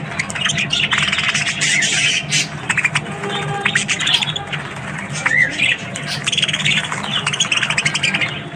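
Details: Australian budgies in the morning keep up a busy twittering chatter of scratchy notes and brief whistles, with a few clearer rising chirps and a low background hum.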